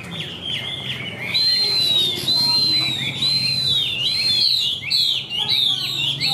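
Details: Caged Chinese hwamei, white-winged and white-tailed, singing high: a loud, continuous stream of bright whistled phrases, rising and falling slurs strung tightly together, with quick sharp notes toward the end and low background hum.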